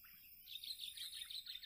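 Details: Sooty-headed bulbul at a community decoy-bird contest: a quick run of high, sharp chirps repeated several times a second in a steady bubbling series, with a faint hiss behind.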